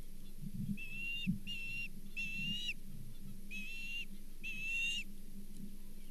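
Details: Osprey with a brown bullhead at the Charlo nest, 24 April 2023: five spaced, slightly drawn-out whistled calls, clearer in the first half, over a noisy low rumble, hum and thuds.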